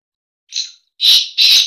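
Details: Black francolin breeding call: a brief faint rasp, then two loud, harsh, scratchy notes run almost together in a clean recording.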